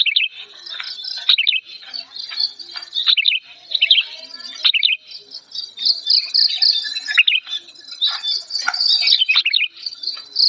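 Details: Old sooty-headed bulbul in an agitated, angry mood, loud and clear: short bubbly whistled phrases dipping and rising, repeated every second or so, over a continuous high thin buzzing background.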